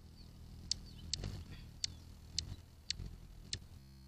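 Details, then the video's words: A hummingbird stopping by for water in the Arizona desert gives six sharp, high clicking chips, spaced about half a second apart, over a low background rumble. "Hummingbird Clicking-Chirping"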